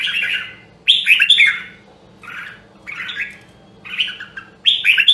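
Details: Song of a caged Nam Dong Hue red-whiskered bulbul in voice training: loud warbled whistles in four or five short bursts with clear silences between, the notes slurring up and down, a faint hum below.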